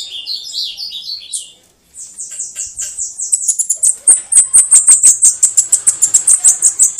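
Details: Bananaquit 'canto de foguear' (sibite, cambacica): it opens with a twittering, slightly lower phrase, goes briefly quiet, then a long stream of fine, very high, hissing notes grows louder.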